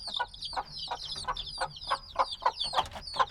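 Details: A few-days-old black chicks, noisy and still needing their mother's warmth, heard in a binaural field recording; faint high descending peeps run overhead while louder, lower rustling bursts pulse roughly three times a second.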